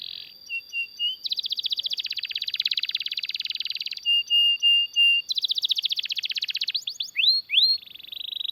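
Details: Long canary roll for training other canaries and prompting them to sing: short flat whistles, then long fast trills of evenly spaced notes broken by brief tones, ending with rising whistled slurs.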